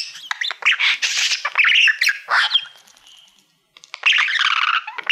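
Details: Pet male budgerigar performing to a mirror-like Silver Play Button award: scratchy squawks and chirpy warbles in rapid succession, a brief near-silence, then a harsh buzzy burst.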